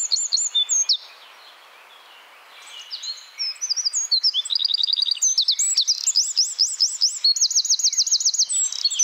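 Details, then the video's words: Eurasian wren (Troglodytes troglodytes) in a Czech forest gives a loud, high, rapid song: sharp notes giving way to fast trills and rattling runs, delivered at a hurried, tumbling pace. "Eurasian wren (Troglodytes troglodytes)"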